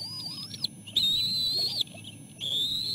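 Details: Bald eagle eaglets, three siblings at the nest, jostling as their mother brings in food. High, thin whistled cries, long and slightly wavering, in three drawn-out bursts separated by short pauses, over a low background rumble.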